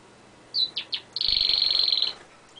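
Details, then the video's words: Caged pet canary on a window ledge, recorded close: three quick rising chirps, then a long fast buzzy trill lasting nearly a second, ending with a faint high whistle. "the canary sings"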